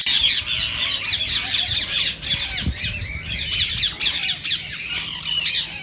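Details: Green rose-ringed parakeet, played to stimulate other parakeets to sing and mate; unbroken stream of shrill, buzzy screeching notes overlapping one another, with a faint low knock.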